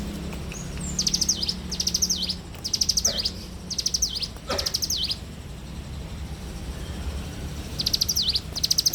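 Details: Morning song of a bar-winged prinia: repeated bursts of fast high ticks with a falling-rising slurred flourish, about seven bursts spread over nine seconds, with a low hum underneath and a faint lower note between phrases.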